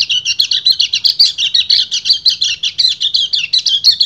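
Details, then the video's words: Male white-eye singing in the long continuous ngecir style to call a female in breeding condition: a rapid, unbroken run of high, scratchy chattering twitters, about two notes per second in pulses, with no other sounds. "PLECI GACOR NGEBREN - KECIAL KUNING BIRAHI MEMANGGIL BETINA"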